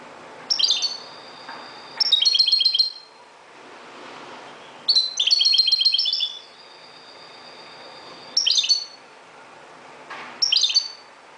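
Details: Moroccan European goldfinch singing at dawn: short bright twittering bursts with buzzy trills, separated by pauses of one to two seconds, with faint thin sustained notes between phrases.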